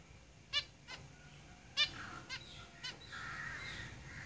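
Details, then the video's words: Zebra finches in a cage give a handful of sharp nasal beeps at irregular intervals, with faint soft chatter between them. "Zebra Finches Singing in the cage"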